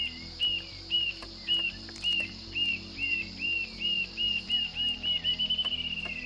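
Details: Rufous-tailed jacamar song of the types called sovelão and barra-do-dia: high, thin whistled notes, about two a second, quickening into a rapid rising trill at the end, over a low pulsing hum.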